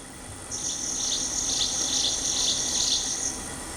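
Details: Jungle prinia, first of its two distinct singing modes: a high, dry, insect-like buzzing trill held steadily for about three seconds, with rapid regular pulses and faint low background hum.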